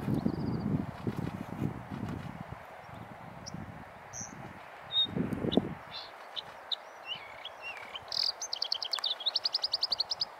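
Female rufous-tailed rock thrush: scattered high, thin chirps and short whistles, ending in a quick rattling series, with low wind rumble early on.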